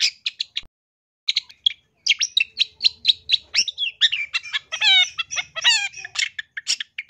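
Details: Loud, vigorous long-tailed shrike training song: short scratchy notes, a brief pause, then a long varied sequence of chirps, downward-slurred whistles and harsh rattling trills.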